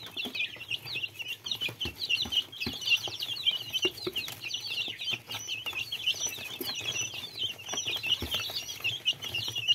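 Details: A group of little chicks giving constant high, sharp downslurred peeps that overlap into a busy chorus, with occasional clicks and rustles from movement.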